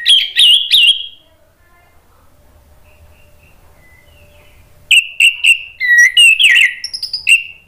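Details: Orange-headed thrush song used to prompt other thrushes to answer: loud rich whistled phrases with rapid slurred and trilled notes in two bursts, separated by about three seconds of near quiet with faint low sounds.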